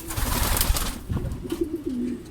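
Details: Racing pigeon at a truck training release in Guiguinto, Bulacan; loud low rumbling handling noise comes first, then a short, low, wavering coo near the end.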